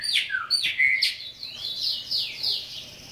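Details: Chopi blackbird singing in a cage, a bird native to Brazil: loud, clear whistled phrases of quickly falling and rising slurs, run together with little pause over a faint steady hum.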